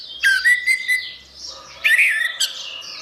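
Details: Orange-headed thrush song for reviving birds that have gone quiet: a clear, slightly rising whistle with a few sharp chips, a brief lull, then a loud, squeaky warbled flourish.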